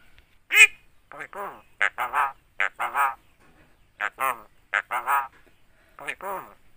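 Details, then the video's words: Javan myna imitating human talk, including the greeting "Assalamualaikum" and "halo cewek": a string of nasal, voice-like syllables in short phrases with gaps, some bright and high, others lower and drawling, with no other sounds. "BURUNG JALAK KEBO BISA NGOMONG,ASSALAMUALAIKUM,BATUK DAN NGOMONG HALO CEWEK"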